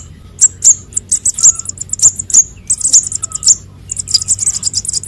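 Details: Sunbird chick calls, konin and sogon, played as a lure for catching birds: dense runs of very high, thin chirps and short downslurred notes tumbling over one another almost without pause.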